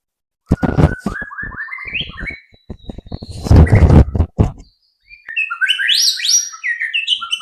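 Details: White-rumped shama song played as a lure to prompt other shamas to sing: rising whistled notes stepping upward, then a burst of loud low thumps and clatter, followed by quick high chattering phrases.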